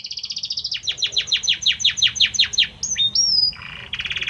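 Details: A Belgian canary male sings to his mate: a rapid trill, then about ten downward-sweeping whistles repeated several times a second, a pair of rising pure whistles, and a closing buzzy roll.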